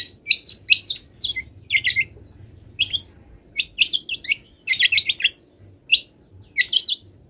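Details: Wild long-tailed shrike, moult unfinished, sings a varied song full of borrowed phrases: sharp high chips and twittering clusters, spaced irregularly, over a faint low hum.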